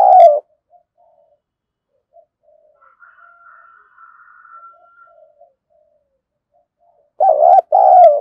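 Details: Decoy spotted dove: the end of one coo opens the recording, a long stretch of faint murmuring follows, and a full two-part coo closes it.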